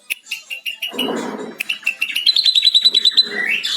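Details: Ashy drongo with lovebird mimicry, recorded to train other drongos: spaced high chips, a burst of low rasping, then a quickening run of ringing notes sliding upward into a high trill.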